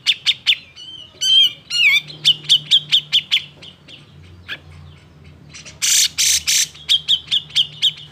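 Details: Agitated cucak jenggot song used to provoke other birds into singing: rapid chip series, twisting warbled whistles, a harsh rasping burst, then more quick repeated chips over a low hum.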